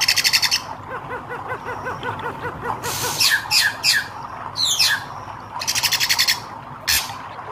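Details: Red-eyed hair-crested drongo calling: grating buzzy bursts alternate with quick downward-sliding twangs and chattery notes, over a continuous rhythmic low pulsing.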